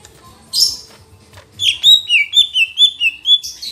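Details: Lesser green leafbird song: one scratchy burst, then a rhythmic string of about ten short, bright whistled notes, each dipping slightly, closing with a hiss.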